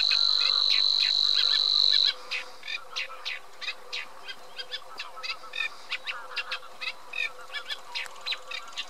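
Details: Eurasian reed warbler singing a rhythmic, chattering run of short churring notes, about four a second, after a two-second loud steady high whine that then fades into a constant thin background tone.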